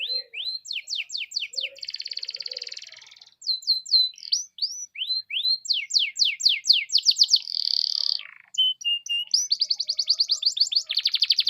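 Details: Canary in full song, a lure recording to prompt other canaries to sing, mixing rapid series of descending sweeps with extended buzzy trills and rattling rolls, varied and nearly unbroken throughout.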